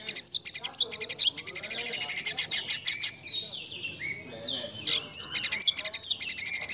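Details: White-rumped shama delivering a competition song with fill-in phrases favored by judges. Rapid buzzy notes repeat about twice a second, with high chirps and sliding whistles woven among them.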